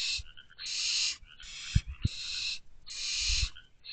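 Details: Barn owls in an owl box at 11:58 pm on May 15, 2023, as the male delivers food to his owlets: about five long, harsh hissing screeches, each roughly half a second, with soft thumps between.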